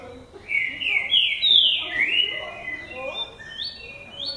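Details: Lined seedeater, male, starting its classic song: loud sweeping whistled notes that slide down, followed by softer, higher whistles trailing off.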